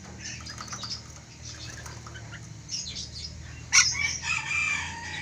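An ornate lorikeet chatters in harsh, high, screechy bursts, ending in a louder shriek and a run of grating notes over a low background hum.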